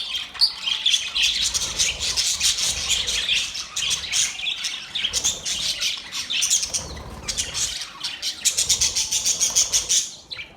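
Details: Mating sounds from a group of budgies: unbroken, rapid scratchy chirps and shrill squawks from several birds at once. The chatter thins slightly midway, then surges again, with rapid ticking notes near the close.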